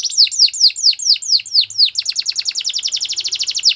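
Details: Canary singing a row of bright descending notes about five per second, then speeding into a dense, rapid rolling trill.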